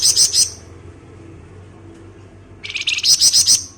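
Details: Flamboyan bird giving ngebren song, used as a lure: a short harsh pulsed burst, a pause of about two seconds, then a longer rapid buzzing rattle of even pulses.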